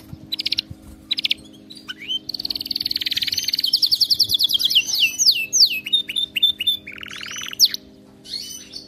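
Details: Canary song meant to train a pet canary to sing nonstop: a long unbroken flow of rapid rolling trills at shifting pitches, buzzy repeated tours, and swooping whistled notes, ending in a short pause, with a faint low hum.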